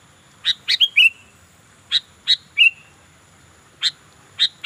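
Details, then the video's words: Sooty-headed bulbul in lively song, repeating a short phrase about every one and a half seconds: two or three harsh chirps followed by a clear, slurred whistle that drops and fades; later phrases shorter, with steady faint hiss behind. "burung kutilang gacor"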